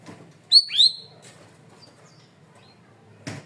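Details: Masteran training recording of a loud cream-vented bulbul (cucak rawis): a bright two-note whistled phrase, the second note swooping downward, followed by quiet and a single dry click.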